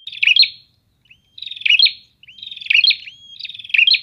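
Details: Prinias answering each other in a lively chorus: repeated buzzy, rattling phrases closing in sharp high chirps, about one per second, some joined by thin rising whistles, the later phrases nearly overlapping.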